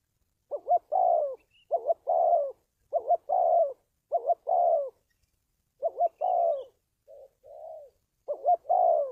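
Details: Spotted dove cooing, used to train decoy birds and draw wild doves to traps: seven steady phrases, each a clipped double note and a falling coo, plus one softer short coo pair near the end, no other sounds.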